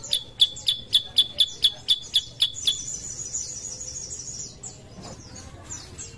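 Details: Sooty-headed bulbul lure sound for getting other birds to sing. Rapid high chirps repeat evenly for under three seconds, then give way to a faint, thin, high wavering trill and quieter background.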